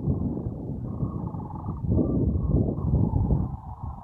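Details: A large gathering of sandhill cranes at Monte Vista NWR, Colorado, 22 March 2014: steady, low, throaty rolling calls from countless birds blending into one continuous rumbling chorus.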